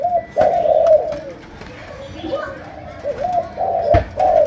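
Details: Malaysian spotted dove in chiêu gù cooing, sấm đồng voice: a strong low coo run at the start, softer broken coos in the middle, then louder phrases returning, with two sharp knocks.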